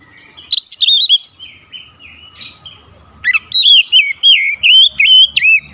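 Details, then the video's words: Song of an Oriental magpie-robin, intended to get a silent bird singing quickly: a cluster of sharp whistled phrases, a soft pause, then a lively string of repeated looping, warbled notes roughly three a second. "OCEHAN PEMULIH KACER MACET BUNYI CEPAT GACOR"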